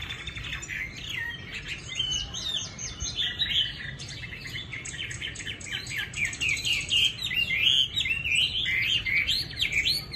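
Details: A caged Chinese hwamei with light yellow legs, offered for sale in Hanoi, sings a rich, continuous stream of loud whistled and slurred phrases, rising and falling without pause, over a faint low background hum.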